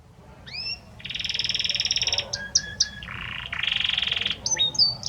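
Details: Song of a male Belgian canary directed at the female: a short rising whistle, a long pulsing rolled trill, a few separate chips, then further low and high rolls and closing upslurred whistles.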